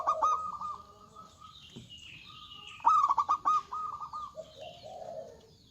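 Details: Local zebra dove in full song, loud and energetic: repeated phrases open with rapid clipped notes and trail into lower purring coos, with a faint higher bird call behind.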